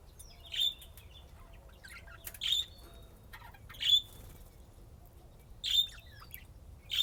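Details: Budgerigars playing, tagged Austin, Texas: short high chirps roughly every one and a half to two seconds, each a quick bright burst with a brief whistled tail, faint chatter in between and a quiet low hum beneath.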